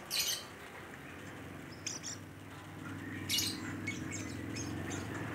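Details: Rainbow lorikeet, called nuri pelangi and described as gacor (freely and actively calling), giving two short harsh screeching bursts about three seconds apart over a steady low hum, with a few faint chirps between them.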